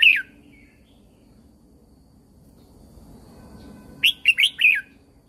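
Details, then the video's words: Thai caged Red-whiskered Bulbul song, used for training and for rousing other birds. A clipped note opens, then near the end comes a lively phrase of four liquid whistles, up-and-down, over faint low hum. "เสียงนกกรงหัวจุก สำหรับต่อ หรือ เปิดให้นกคึก เสียงเพราะๆ"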